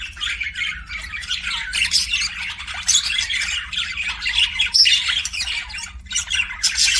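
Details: Kissing sounds by a pet budgerigar, an unbroken flow of squawky, scratchy chatter with sharp clicks and brief squeaks, fairly even in loudness throughout, over a faint low hum.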